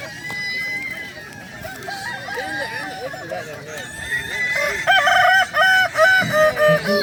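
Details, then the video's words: Crowing of a Kukuak Balenggek cock during a song contest at Danau Bawah, 6 October 2024. A run of short arched notes builds into louder, clipped, stair-stepped syllables near the end. A busy contest ground murmurs in the background. "Lomba ayam kukuak balenggek danau bawah"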